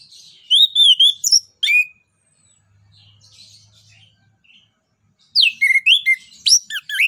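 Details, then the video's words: Orange-headed thrush (anis cacing) song used as a lure and tutor for other birds. Opening whistled and slurred notes, a few seconds of near silence with a faint low hum, then a rapid burst of sharp, varied high phrases. "ANIS KEMBANG NGEPLONG NEMBAK BUAT PANCINGAN"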